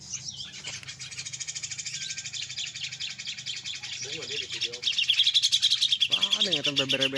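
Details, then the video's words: Grey-cheeked bulbul song: busy high chatter that grows louder toward the end, ending in rapid ringing notes, with a brief voice in the background. "cucakjenggot suara bikin candu"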